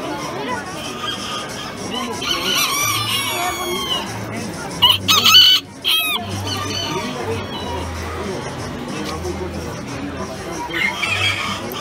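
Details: Colorado class B bantam rooster of 375 grams at a March 2019 poultry expo, giving a shrill, wavering crow amid clucking from other fowl, a crowd's chatter and a loud bang.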